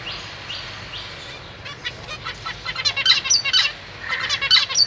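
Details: Zebra finch family in a big cage, parents feeding newly fledged chicks alongside three juveniles, 31 March 2023; a few soft rising notes, then a dense run of rapid, buzzy, harmonic chattering calls growing louder.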